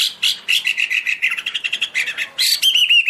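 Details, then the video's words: Chinese hwamei singing high, pure phrases while waving its wings and spreading its tail: a run of quick clear whistled notes, repeated rapidly, ending in a sustained rising and falling warble. "Birds Garrulax canorus high vocals and pure"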